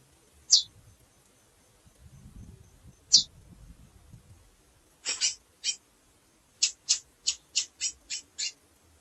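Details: Female chestnut-bellied seed finch chirping and calling: two spaced high thin chirps, then a quick run of about ten sharp high notes, with some low rustling early on.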